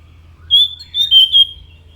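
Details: Orange-headed thrush giving a short sequence of pure, clear whistled notes, three or four brief level tones in quick succession, over a faint low hum.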